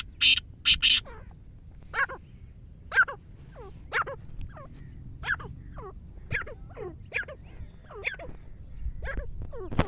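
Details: Wild black francolin, also called Sindhi partridge, calling: a couple of loud harsh bursts open, then a steady series of short, raspy, downward-sweeping notes repeated roughly every half second over a low background rumble.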